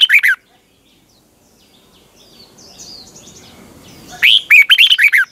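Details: Red-whiskered bulbul decoy song for training caged birds, morning singing in the twisting double-voice style: the tail of one warbled phrase, a pause with faint distant chirps, then a longer burst of rapid, bright, rolling whistled notes.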